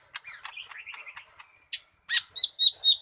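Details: Lesser green leafbird singing: a rapid, varied run of sharp high chirps and short slurred whistles, then louder bright ringing notes near the end, with no other sounds.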